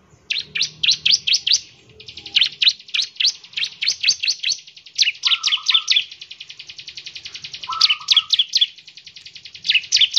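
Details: Bar-winged prinia singing to prompt other birds: almost continuous runs of sharp, high downslurred chips with a buzzy trill beneath, and two brief lower wavering whistles midway.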